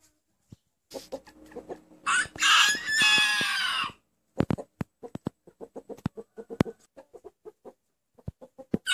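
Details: A rooster crows in a way said to resemble the Turkish word "anneanne" (grandmother). A strained, harsh, harmonic call lasts about two seconds mid-clip, framed by quieter clucking and a steady series of sharp knocks and clicks.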